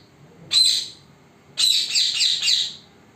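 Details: Parrot, recorded in secret so it would not notice, giving one harsh screech, then a pause, then a longer stretch of four linked rasping squawks.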